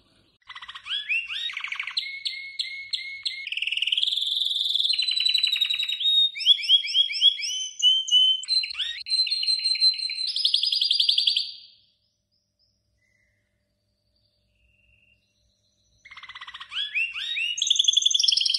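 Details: Goldfinch × canary mule with about 90% canary colouring sings a long varied song of rapid trills, buzzy rattles and sliding whistles in quick changing phrases, a four-second pause, then resumes with fast trills; no other sounds.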